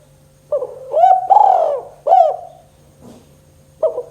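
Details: 'Kuk 2' cooing of a spotted dove, meant to spur lazy doves into song: a soft opening note, a rising coo, a long sustained coo and a sharp closing coo, then a brief thump and a new phrase starting, over a constant hum.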